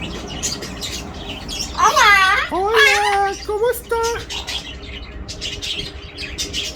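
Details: Talking parrot imitating human speech: three short, high-pitched, speech-like utterances in the middle of the clip, the first two longer and wavering, the last clipped. Quiet indoor room noise and faint clicks fill the gaps.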